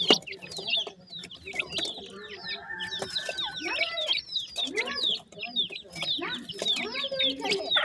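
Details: Feeding partridge chicks give overlapping high falling peeps in a constant chorus, joined by lower harmonic clucks and drawn notes in the middle of the recording.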